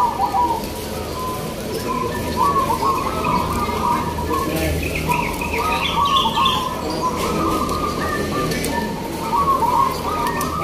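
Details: Local zebra doves (perkutut lokal) singing in a judged contest at Gantangan Singosaren, Yogyakarta: repeated bubbling, rolling cooing phrases in the mid range, recurring every few seconds over a constant crowd and background hubbub.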